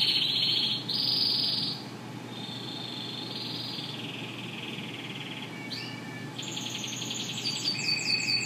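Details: Yellow Spanish Timbrado canaries singing: long sustained metallic trills and rolling tones, shifting in pitch from one phrase to the next, with a sharp rising sweep near the middle, over a steady background hiss.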